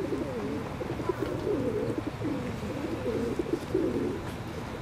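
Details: Low, mellow, wavering calls of ring-necked ducks run almost continuously, overlapping notes suggesting several birds, with a steady murmur of background noise.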